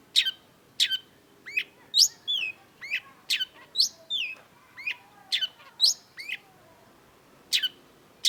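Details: Long-tailed shrike singing vigorously: a varied, busy medley of sharp downward sweeps, twisting whistles and chips, tumbling irregularly for several seconds, then two isolated sharp notes after a pause.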